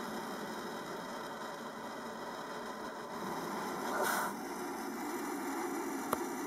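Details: An idling engine hums steadily with a brief swell of hiss around the middle and a sharp click near the end, with no animal calls.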